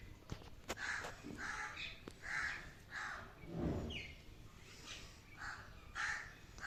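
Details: Pet parrot at home giving a series of loud, harsh squawking notes, each a short broad burst repeated roughly every half second to second, with a few clicks and faint room noise between them.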